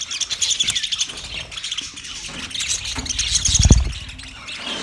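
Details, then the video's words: Twenty budgerigar pairs chirping: rapid, repeated high twitters and warbles in quick bursts, with a low thump just before the four-second mark. "20 Budgie pairs chirping sounds"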